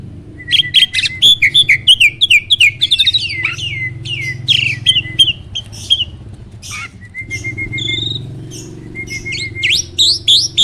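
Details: Starling song as a training recording for other songbirds: a fast string of upslurred whistles, then scratchy chatter, level high whistles and a final burst of rising notes, over a low background hum.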